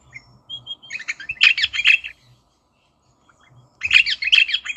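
A rosella gives bursts of harsh, chattering notes, high and rapid, in two runs separated by a short pause.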